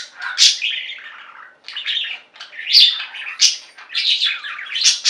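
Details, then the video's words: Several pet budgies warbling together, gurgling, buzzy phrases broken by sudden high chirps, bursts coming irregularly roughly every second. "Most Beautiful Budgie songs Ever: Budgies singing and chirping"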